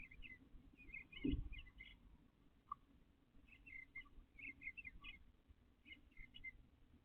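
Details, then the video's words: Male eastern bluebird in a backyard in nesting season, taking pine straw from flower beds for its nest; faint warbled phrases in several short groups, with a knock and low background rumble. "Live Blue Bird Day 4"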